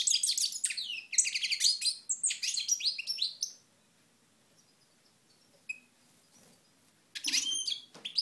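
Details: European goldfinch from Moknine, recorded in 2012, singing a fast, tinkling twitter of high buzzy and trilled notes for about three and a half seconds, then a quiet gap before another short bright burst.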